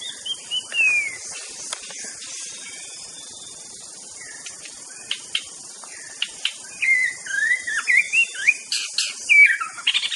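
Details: White-rumped shama from Aceh, kept as a master songbird for training others: scattered slurred whistles and sharp clicks, building near the end into a busier run of rising and falling whistled notes.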